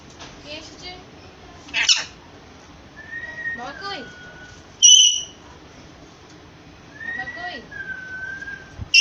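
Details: Indian green parrot (rose-ringed parakeet) whistling: a loud sharp burst, a piercing two-toned whistle mid-way, and long slurred falling whistles with short rippling notes, repeated twice, while a person speaks softly nearby.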